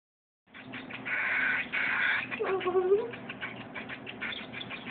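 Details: Cockatiel hatchling begging while being hand-fed: harsh, buzzy rasping bursts in quick uneven pulses, louder in the first half and then a softer, steady chatter, with a low hum underneath.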